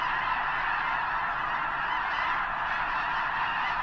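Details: Snow geese massed by the thousands near Potholes Reservoir's eastern shore, preparing for the journey north to arctic tundra breeding grounds; a dense, steady babble of nasal honks from the whole flock, no gaps between calls.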